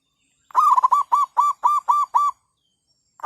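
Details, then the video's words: Zebra dove used as a decoy to lure wild birds for trapping, overcast day after overnight rain, nesting season: a loud burst of about eight rapid, rolling staccato coos, evenly paced, then silence and a final coo starting. "perkutut/merbuk.. burung hutan bagi derak sama pikat"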